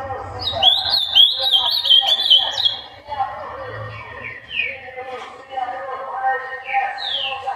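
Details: Ultramarine grosbeak song, played to prompt other birds to sing: a fast run of warbled, slurred whistles in the first three seconds, then scattered downslurred notes over a steady low murmuring background.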